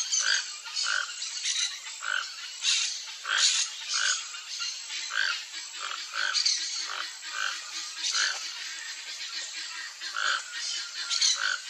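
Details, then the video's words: A toco toucan couple foraging for fruit in riparian forest gives a long series of rough, grunting croaks in a steady rhythm, roughly two per second, some overlapping as if both birds call, over constant high hiss. "Toco Toucan Couple Singing"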